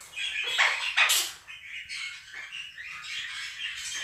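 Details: Pet Quaker parrots, two of them, shrieking over a budgerigar recording played to them: two loud harsh squawks near the start, then a steady bed of twittering budgie chatter.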